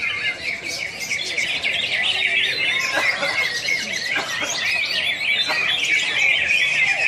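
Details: Greater green leafbirds singing at a national bird-song competition in Pontianak, West Kalimantan, Indonesia, on 3 April 2016; a dense, overlapping chorus of high, rapid whistled and warbled phrases from many birds, with a low crowd murmur beneath.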